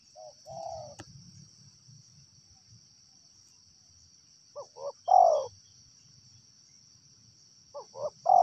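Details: Wild spotted dove cooing: two short, rising notes lead into a fuller, descending coo, with phrases spaced several seconds apart. A steady high whine and low rumbling noise sit in the background, plus a sharp click near the start.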